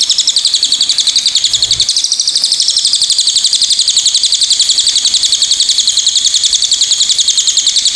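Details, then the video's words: Steady, fast, high-pitched chattering of a pied fantail, pulsing about three to four times per second without a break. "KICAUAN BURUNG CILILIN"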